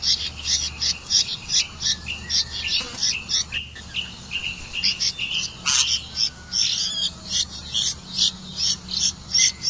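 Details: Red-vented bulbul catching crickets to feed its chick: a long run of quick, high, clipped chirps, roughly two to three each second, with occasional lower slurred notes and low hum.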